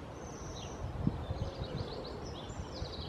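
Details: Bohemian waxwing calls: thin, high, buzzy trills in short repeated bursts, clustered near the end, over a steady low rumble of background noise.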